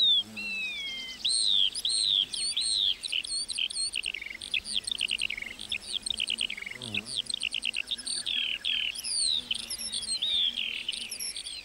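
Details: A lark sings in a meadow, pouring out a long, continuous run of quick rising and falling whistled notes and chirps, fast and unbroken, with one brief low thump partway through.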